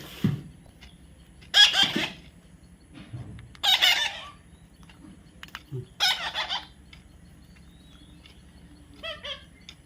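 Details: Baby parrot being tamed, giving three loud, harsh, raspy squawks about two seconds apart, then softer scratchy notes, with a person softly coaxing "come on" in the background.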